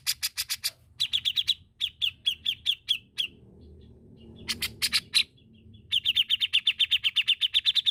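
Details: Grey-cheeked bulbul, known locally as cucak jenggot, singing a gacor master song: bursts of rapid, high, clipped notes with harsh broadband clicks between them, a quiet low rumble in the middle, then a long, steady chattering run.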